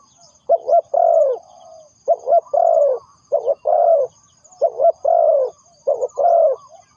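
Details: Spotted dove serving as a lure for trapping birds, repeating a doubled short coo followed by a long wavering coo. There are five phrases in a steady run, with a thin high trill faintly in the background.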